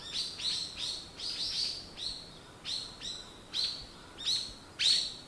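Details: A bird in the morning gives a steady series of high chirps, each a quick downward sweep, spaced about half a second apart.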